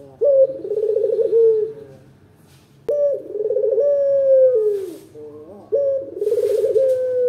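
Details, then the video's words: Local puter dove singing a lure track meant to make other doves answer: loud, deep purring coos, each phrase opening with a sharp rising note and then rolling into a trilled, slightly falling coo, with pauses between phrases. "Suara terbaru,puter lokal gacor bikin cepet nyaut"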